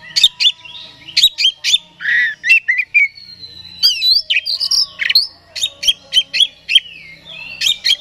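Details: Song of an oriental magpie-robin used to provoke another bird: sharp clicking chirps in quick groups, mixed with fluid whistled slurs and a few harsher notes.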